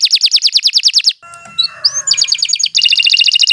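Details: Long, continuous 'gacor' canary song used as tutor ('masteran') material for young songbirds: a rapid rolling trill of repeated bright notes, a short jumble of mixed notes and clicks, then another fast, high, even trill.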